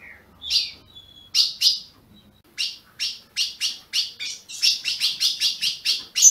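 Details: Caged ultramarine grosbeak (azulão) from a Brazilian breeder, calling to warm up other birds: a few scattered sharp chips and a soft thin note at first, then quickening into a rapid series of crisp, high chips, nearly three per second.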